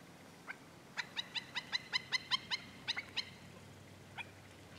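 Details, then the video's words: Black-necked stilt at Goldwater Lake, Prescott, Arizona, on a May 2017 morning, recorded with a camcorder: a rapid series of about a dozen sharp, yapping notes over two seconds, with a few isolated yips before and after, over steady background hiss. "Black necked Stilt"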